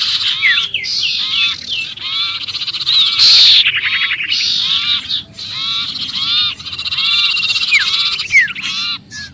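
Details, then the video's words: Frantic sirpu calling as if stuck in a trap, meant to draw in other birds. Rapid buzzy chatter and short falling whistles come in clusters, broken by brief gaps and one shrill squeal. "suara pikat sirpu Ribut kejepit"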